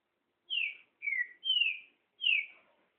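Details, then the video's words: Trinca-ferro, the great thrush, delivering four clear whistled phrases, each starting high and gliding down, evenly spaced over about two and a half seconds in quiet surroundings. "TRINCA FERRO ESPANTALHO"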